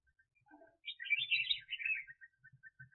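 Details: Caged red-whiskered bulbul used as a decoy for bird trapping, delivering one rich, rolling warbled phrase of about a second, then trailing thin notes, with faint low taps in the background.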